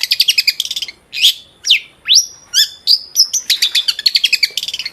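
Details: Long-tailed shrike in vigorous song, played as a lure to get other shrikes singing: rapid bursts of sharp high chirps, then slurred rising and falling whistles, ending in fast repeated chattering notes.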